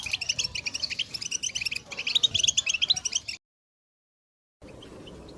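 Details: Goldfinch twittering played to rouse a quiet captive goldfinch: about three seconds of busy, high chirping and trills, then abrupt silence and a faint hiss.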